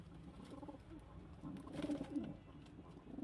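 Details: Domestic pigeons, a kept flock of local, Indian, Chinese and homing birds, making low, throaty rolling coos that swell and fade in quick bursts, with light rustling behind.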